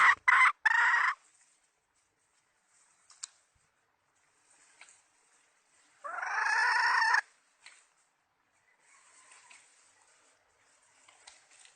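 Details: Decoy hen chicken from the 2020 season, used to lure birds for trapping: two loud, harsh, harmonic calls about five seconds apart, the first choppy and the second a drawn-out squawk, with quiet gaps and faint clicks between.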